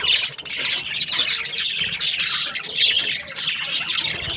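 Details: Budgerigars in breeding pairs, described as happy, fill the air with a dense, continuous chatter of high warbles, squeaks and chirps from many birds at once, with no pauses.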